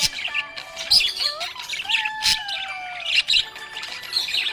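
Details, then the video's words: Happy budgie chattering in a dense run of quick high chirps and squeaky warbles, with a steady tonal melody of music running underneath. "Happy budgie chirping sound"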